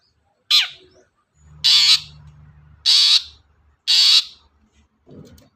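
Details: Long-tailed shrike (cendet) provoking other birds to sing: one harsh downslurred note followed by three longer, grating buzzy squawks about a second apart, over a low steady hum.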